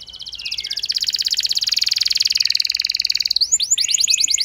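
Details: Canary lure song aimed at making a reluctant canary respond; a long, dense rattling trill held at high pitch, ending in quick rising whistled notes.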